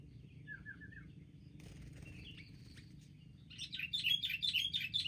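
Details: Wild sooty-headed bulbuls bravely ganging up in a group attack: a short run of clear whistled notes, brief chirps in the middle, then loud, dense, excited chattering calls building toward the end.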